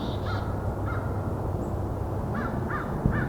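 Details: During a winter Christmas Bird Count walk on a trail, about five excited American Crows give harsh, arched caws, about five in three seconds. The racket is possibly over a predator or rival crows. Low wind or distant traffic rumbles underneath.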